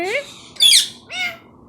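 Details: Pet talking parrot speaking Urdu/Hindi: three quick voiced syllables, the middle one loud and harsh, the outer ones tonal with rising pitch, in a quiet room.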